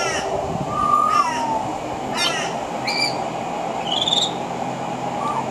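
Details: Pied butcherbird on a veranda, weaving mimicry of other Australian birds into its song; a low fluty whistle drops near the start, then rasping ladder-like notes alternate with short high whistles and a final soft note.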